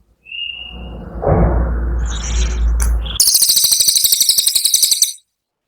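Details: Rapid burst song of a brown cililin, recorded for training cage birds: a short thin whistle, rumbling background noise, then a quick, sharp, high-pitched chattering trill of evenly spaced buzzy pulses lasting about two seconds.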